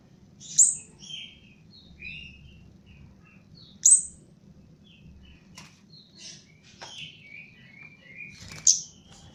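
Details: Caged Javan chestnut-capped thrush being trained, singing a slow, loose phrase of piercing high notes mixed with short falling whistles and scratchy fragments, spaced every few seconds above a faint low hum.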